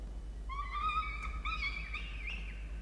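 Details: Peregrine falcons in a nest box on a campus in Orange, New South Wales, Australia, at breakfast feeding on 1 November 2021: one long whining call that climbs slightly in pitch and ends in a wavering note, with a low background hum.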